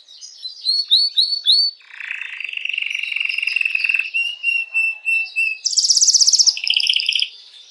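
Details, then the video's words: Canary singing to arouse females for breeding: four rising whistled notes repeated rapidly, then a long even buzzing trill, followed by a bright, loud, high rattling roll and a lower roll. "تغريد كناري"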